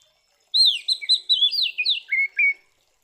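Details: Oriental magpie-robin fighting song used to provoke other birds: a single two-second phrase of bright, slurred whistles tumbling downward, finishing with two lower, steady, clipped notes.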